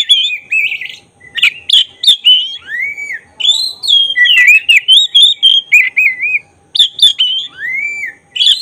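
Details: Oriental magpie-robin, black-breasted form, in lively lure song to trigger emotion and tail opening: rapid varied whistles, sharp clicks and descending slurs, about three or four notes per second, with short gaps.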